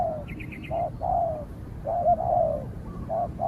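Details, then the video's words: Spotted doves counter-calling as a caged decoy challenges a wary wild bird. Soft hollow coos with a drawn-out falling note, plus a brief high chittering series from another bird near the start. "เสียงนกเขาใหญ่ ต่อ นกเขาใหญ่"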